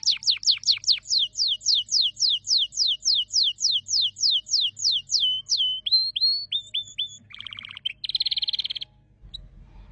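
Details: Canary song: a long series of quick descending whistled strokes, then short flat whistles, a buzzy rattling phrase and a brief fast trill before the bird falls quiet, with a faint low rumble at the end.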